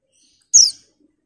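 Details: One bright, high-pitched chirp from a female white-eye summoning a male, sliding quickly downward and ending abruptly in quiet surroundings.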